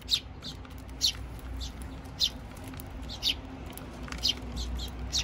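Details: Eurasian tree sparrows, parents and chicks, eating at a feeder in Japan, 7 June 2023; bright high chirps, some doubled, come at uneven intervals of about a second over low hum.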